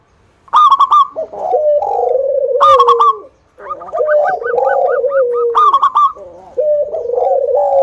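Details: Lively local zebra dove song used as a lure for other doves. Quick stuttering coos flow into long, slurred falling purrs, with clipped higher notes repeated in short trains.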